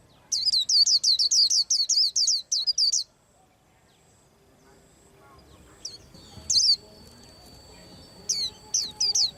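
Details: White-eye singing while preparing to moult: a quick run of about fifteen sharp, very high chirped notes lasting three seconds, then near silence with a few scattered high notes later and a faint low background hum.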